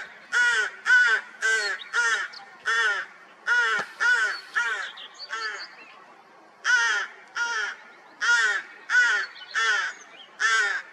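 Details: Rook nest with young, recorded 16 May 2023 after a cold spring: rapid series of raspy, drawn caws, mostly about twice per second, pausing briefly in the middle before resuming, with a few faint high twitters in the background.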